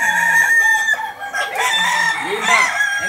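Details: Balenggek rooster crowing at a contest in Solok's Ampang Kualo on a Sunday, landiak class; long level harmonic tones followed by rising and falling arched notes from other nearby birds.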